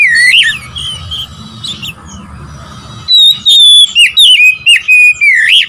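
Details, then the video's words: Song of an Oriental magpie-robin, played to stir up rival birds. A few soft twisting whistles are followed by a loud, rapid string of clear whistled notes that slide up and down, separated by brief gaps. "memancing emosi Kacer lawan"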